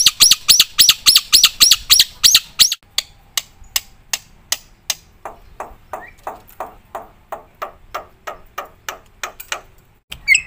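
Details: Black-winged myna in full varied song, used for training and tutoring other birds: a fast run of loud sharp chirps, then softer clipped notes repeated about three times a second, ending with a brief harsh note.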